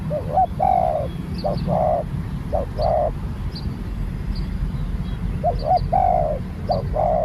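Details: Spotted dove, a new bird out for training, giving repeated cooing phrases: a short hoarse double note followed by a longer, slightly falling coo, over a steady low rumble with faint high chirps from small birds.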